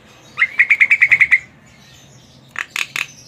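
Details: Javan myna, the jalak kebo, in lively song: a quick run of nine short chirping notes on one pitch, a pause, then three harsh broadband squawks.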